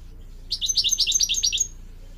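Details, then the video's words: A quick goldfinch trill for training young hybrids and canaries: about a dozen high, evenly spaced chirped notes in just over a second, set against a low background rumble. "Teaching goldfinch mules and canary to song"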